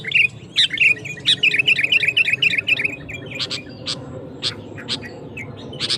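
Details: Sooty-headed bulbul (kutilang) singing gacor to provoke rivals: a fast train of rhythmic chirps for three seconds, then scattered sharp clicks, over a constant low background rumble.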